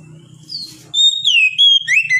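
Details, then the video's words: Oriental magpie-robin giving a short run of clear, downward-sliding whistles, preceded by a faint thin note and soft low background rumble. "TERAPI KACER MENTAL NGEDON"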